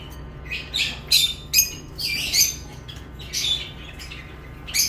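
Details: Lovebirds chirping: short, sharp, high chirps and squawky notes in scattered bursts, some overlapping, over a faint steady low hum.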